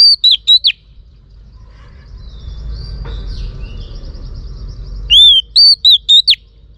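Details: Female Oriental magpie-robin, singing to rouse males, delivers a whistled phrase at the start and again after a quiet gap with distant soft chirps: a long arched note then several short clear slurred whistles.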